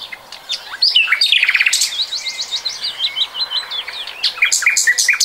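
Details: Recorded in 2020, a common nightingale delivers a varied song: a buzzy pulsed opening, then a long, steady series of quick, sharp repeated chips at about three per second, and finally bright high rasping notes.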